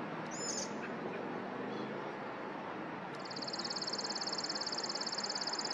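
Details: Chipping sparrow song: a rapid, mechanical trill of identical high chips that starts abruptly and runs on for over two seconds, with a brief higher chirp earlier and constant rushing background noise throughout.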